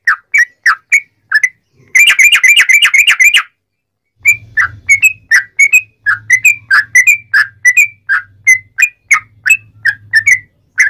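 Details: Eagerly singing sooty-headed bulbul, locally trucukan, in long 'ropel' style as a lure for other bulbuls: whistled phrases broken by a fast rattling trill, then a long string of bubbly slurred notes over an intermittent low hum.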